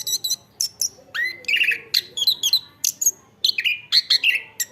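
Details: Lively Chestnut-backed thrush song: brisk high chirps, a rising whistled sweep into a buzzy trill, then repeated short warbled notes and sharp clicks in quick succession.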